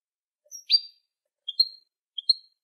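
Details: European goldfinch song played for training young goldfinches: three short bursts of high, thin twittering notes, each a quick pair of chirps with slurred ends, spaced under a second apart against a clean, silent background.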